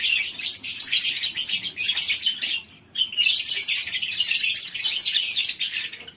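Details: Many lovebirds calling together in a colony cage on a breeding farm at morning, high-pitched twittering and squeals overlapping densely, dipping briefly quieter near the third second before resuming.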